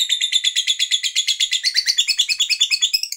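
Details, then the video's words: Fighter lovebird chattering to provoke other lovebirds: a fast, even series of shrill, buzzy high notes, roughly eight per second, continuing without a break throughout. "JENIS LOVEBIRD APAPUN EMOSI LANGSUNG NAIK, FIGHTER NGETIK LANJUT NGEKEK PANJANG"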